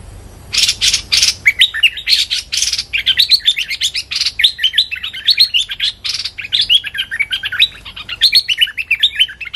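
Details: Streak-eared bulbul used as a decoy in bird trapping, calling at a captive young female bird. Rapid bubbly chatter of short, bouncing whistled notes, broken by harsh broadband rasping bursts near the start and middle.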